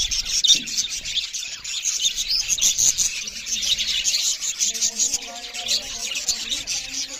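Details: Budgerigars chirping loudly while eating: a dense, continuous chatter of high, rapid chirps and warbles from several birds, with faint low hum beneath.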